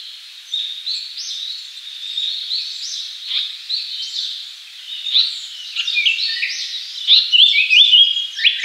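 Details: A Japanese paradise flycatcher, a summer visitor to Japan, sings a run of scratchy, clipped high phrases ending in a few quick repeated whistled notes, over a steady background hiss.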